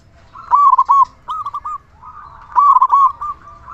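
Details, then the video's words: Local zebra dove with a large voice, used to trigger singing in other zebra doves: two rolling coo phrases, each a loud bubbly trill followed by softer purring notes. "Perkutut lokal gacor suara besar cocok untuk pancingan burung perkutut agar cepat bunyi"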